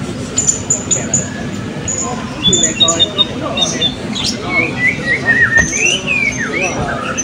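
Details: Blue-crowned hanging parrots in the class B round of a 2024 open songbird voice and style competition at Balingian, giving repeated high ticking notes then wavering slurred whistles, over the murmur of onlookers.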